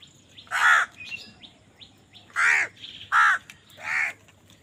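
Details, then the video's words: Crows fighting for food give four hoarse, drawn-out caws in under five seconds, the second and third close together, while small birds add short upward chirps between calls. "কাকের ডাক Crow Sound Crow ki Awaz Loudly | Crow bird Fight for Food"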